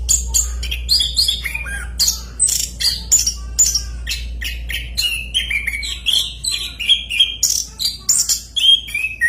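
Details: Orange-headed thrush sings a long, loud rolling song of rapid varied phrases, high whistles, chirps and descending slurred notes in quick succession, with a faint low hum behind.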